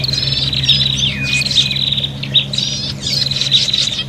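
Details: Agitated prinia calls used to lure birds, with buzzy high trills alternating with quick chirps and a sliding downward note, over an audible low background hum.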